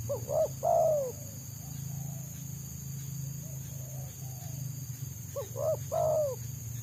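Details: Wild Spotted Dove (tekukur), a trapper's target for its close, fast 'selang nguku' song, giving two full phrases of quick stacked notes ending in long falling coos, with quiet distant cooing between and a steady low drone.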